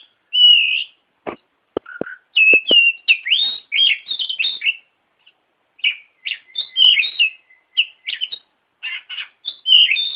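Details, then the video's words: White-rumped shama (kacer) song used as a training master: varied whistled phrases and rich warbles around mid-high pitch, interspersed with sharp clicks early on, delivered in bursts separated by short pauses; clean recording. "Suara Burung Kacer Masteran Variasi Pancingan Pasti Nyaut"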